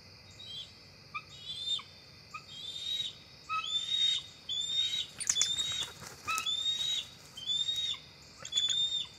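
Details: Bald eagles at the NCTC nest at dusk, October 4, 2023, two adults flying up to the nest tree; thin whistled notes repeated about once a second, some with lower accents, with rustling and flapping sounds partway through.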